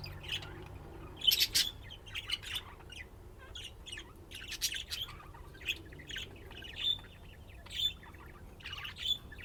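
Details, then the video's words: Budgerigars playing and chirping, with short warbles, a loud squawk burst early on, and clear single whistled notes repeated near the end. "طيور الحب لعب وزقزقة"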